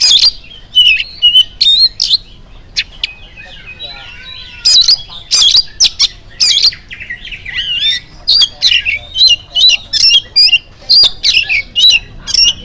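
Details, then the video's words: Morning song of an oriental magpie-robin meant to set other birds singing: loud bursts of harsh chips and clear whistled notes in short clusters, with a quieter warbling stretch in the middle. "PANCINGAN AWAL SUARA KACER GACOR DI PAGI HARI KACER APA SAJA LANGSUNG NYAUT IKUT BUNYI AMPUH"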